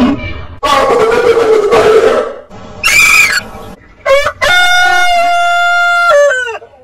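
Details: Rough clucking crow opening, a short high call, then a clear rooster crow: a quick rising start leading into a long held tone that cuts off sharply.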